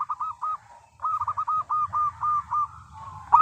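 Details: Zebra dove, a local bird, sings to lure other zebra doves into singing: a brief pair of coos, a pause, then an even run of about seven arched cooing notes, over faint low background rumble.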